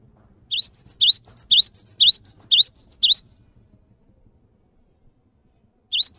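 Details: Java sparrow singing, recorded to spur kept birds into song: a three-second burst of quick, high, looping chirps repeating in pairs, a few seconds of quiet, then the chirping starts again at the end.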